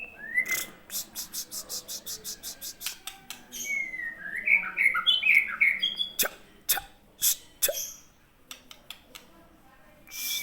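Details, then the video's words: Aceh white-rumped shama: an upward-slurred whistle, then a burst of bright, quick notes in the middle, surrounded by regular sharp clicks repeated almost twice a second. "Pastol Murai Aceh"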